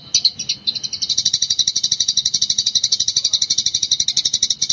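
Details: Eurasian tree sparrow song used as a training master for other birds: a couple of sharp chirps, then a rapid, rhythmic series of buzzy pulses running steadily to the end.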